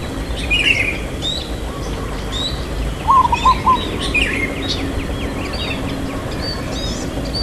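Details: One cooing phrase from a local zebra dove, long "kuk" voice in irama lelah style: a lifted first note and a few quick soft coos, set among busy, louder chirps and whistles of other small birds.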